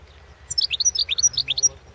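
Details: European goldfinch entered in the 2016 World Championship in Goldfinch Song, delivering a quick phrase of clear, high, liquid chirps in rapid succession, roughly a dozen notes in just over a second, against a quiet low hum.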